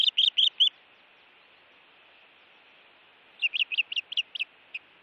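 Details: Osprey at a Montana nest under intruder attack, June 2017 evening: two bursts of fast, piercing chirps, about six notes each, separated by nearly three seconds of quiet hiss.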